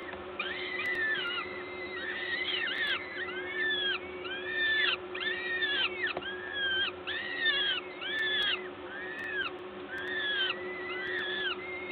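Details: Peregrine falcons at a nest site in Gdańsk, recorded 14 May 2022 at 11:07 while a parent feeds at the nest; drawn-out, arched, wailing calls with rich harmonics repeat roughly once a second in overlapping series against steady low hum.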